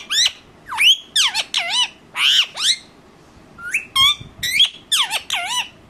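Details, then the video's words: Indian ringneck parakeet kept as a talking pet, described as angry, repeats shrill falling screeches and short rising whistled notes in irregular clusters, with a quiet pause midway. "bolane wala tota"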